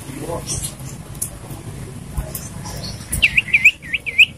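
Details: Common iora heard in the morning, giving a short closing burst of four or five bright, looping whistled notes that dip and rise, after quiet low rumbling background.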